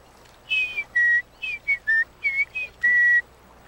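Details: In The Gambia, beside mangroves at sunset from a canoe, a wattle-eye named as Scarlet-spectacled Wattle-eye (Brown-throated wattle-eye) gives clear whistled notes, some slurring down and some steady, about eight in three seconds; its mnemonic is "Christmas Day is eating day."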